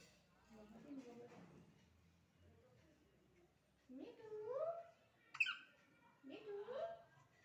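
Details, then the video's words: A pet talking parrot speaking with its owner gives three speech-like utterances, the later ones rising and drawn out, with one sharp high squeak between them; soft human speech opens the recording. "talking parrot"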